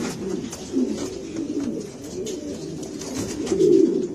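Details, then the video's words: Granadino pigeons of Spanish breed cooing in a steady low rumble, several birds overlapping, with one stronger drawn-out coo toward the end and light clatter behind. "الحمام الغرناطي الإسباني. Pigeon granadino"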